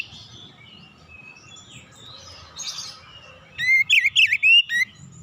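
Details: Oriental magpie-robin song, relaxed singing used as a lure to get untrained magpie-robins singing. Faint chirps and a low rumble open the clip, then a loud burst of about seven quick, sweeping whistled notes rises and falls near the end.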